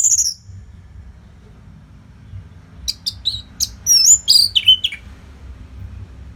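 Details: Orange-headed thrush (anis merah) masteran training song, played to keep competition birds fit: a short high note, a pause, then a rapid run of sharp chirps and bright downslurred whistles, high-pitched with faint low background hum.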